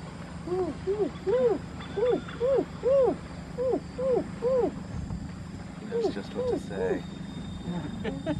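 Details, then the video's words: A White-crowned hornbill gives a series of mellow, arched hoots, some paired, about one every second or two, over a steady low hum. "White crowned Hornbill"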